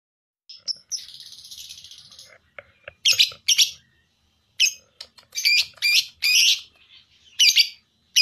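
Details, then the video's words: Lovebird calls for contest training: a buzzy chirp, then a shrill, harsh trill, followed by scattered short squawks and harsh bursts separated by brief silences. "Masteran loveBird Juara Full 4 Jam"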